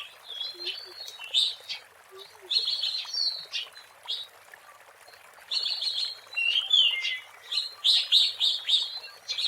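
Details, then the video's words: Lively wild kacer, the Oriental magpie-robin, singing as a lure; bursts of rapid, buzzy chattering phrases separated by short gaps, with occasional thin whistles and a faint soft call beneath. "SUARA ASLI BURUNG KACER GACOR BUAT PANCINGAN DAN PIKATAN MP3 DI ALAM LIAR"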